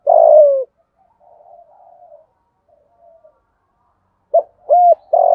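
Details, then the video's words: Spotted dove cooing, used to stir other doves into cooing: one loud, mellow, descending drawn-out coo, a stretch of faint murmuring, then three short rounded coos at the end. The recording is otherwise quiet. "tiếng cu gáy kích bổi nhanh nổi hiệu quả"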